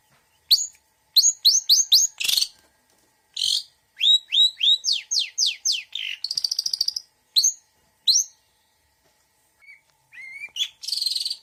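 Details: Long-tailed shrike, mixed 'isian' song: short chips, a harsh burst, a run of falling whistles and rapid high trill, then sparse faint notes and a closing buzzy rattle.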